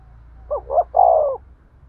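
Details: One cooing phrase from a spotted dove, a kích bổi call for stimulating a male: two brief mellow lead-in notes, then a sustained, slightly falling coo, clean and close.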